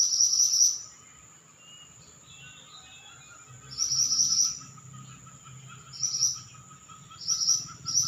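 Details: Singing Pied bushchat giving short, high, sizzling trilled bursts at irregular intervals of one to three seconds, with soft chirps between them and a steady faint high whine and low rumble behind.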